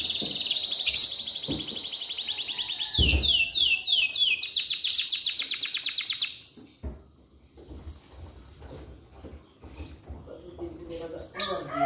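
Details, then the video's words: Atlantic canary morning song to prompt other canaries to sing: rapid trills and fast series of repeated downslurred high notes for about six seconds, then near silence with a few scattered clicks. "Pancingan Kenari di Pagi Hari"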